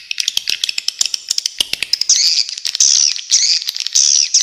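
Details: Swiftlet sounds opening with a run of sharp dry clicks, then giving way to drawn-out, buzzy, high twittering phrases of about half a second each.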